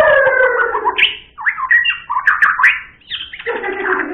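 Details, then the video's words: White-rumped shama singing loud, rich, varied phrases: low drawn-out slurred notes, then a run of quick warbled and twisting whistles, a short pause, and another full slurring phrase. "Beginilah kicauan MURAI BATU SUPER"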